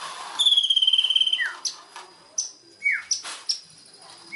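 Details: White-rumped shama lure song used to make a silent bird start singing: a rapid buzzy trill of about twenty pulses, then scattered sharp downslurred whistles and chirps between pauses.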